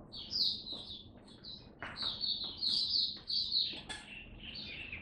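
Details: Oriental white-eye, a caged songbird on its first day of a supplement test, giving open buka song: thin, high, rapid twittering bursts that run together into a continuous warble, over a quiet low hum.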